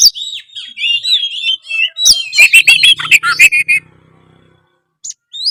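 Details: Gacor song of an oriental magpie-robin (kacer): warbled, wavering whistles lead into a dense run of sharp chips and harsh rasping notes, then silence broken by two brief high whistles.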